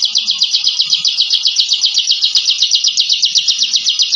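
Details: Shrill rapid-fire 'ngebren' trill of a bar-winged prinia (ciblek), the fighting song of a captive contest bird; evenly spaced high chattering notes repeat about four times a second without a break.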